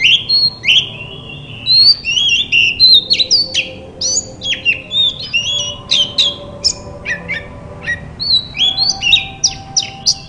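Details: Long bout of white-rumped shama song played to encourage other shamas to sing: rich rapid medley of whistled slurs, upward flicks, sharp chips and descending notes, continuous and varied over ten seconds.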